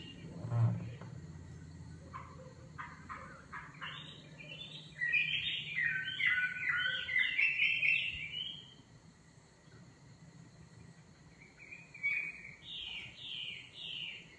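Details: Singing nightingale heard in bursts: scattered clicks and short notes, then a dense, rich phrase of tumbling whistles, a pause, and a later fainter strophe, with low background rumble.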